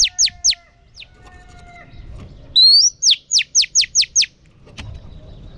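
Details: Female oriental magpie-robin song meant to excite male birds: two steep down-slurred notes, a pause with faint thin whistles, then a rising whistle leading into seven rapid descending high notes.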